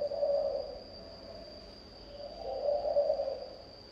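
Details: Spotted dove thổ âm song: two deep, hollow coo phrases about two and a half seconds apart, mellow and even, with a constant high whine throughout.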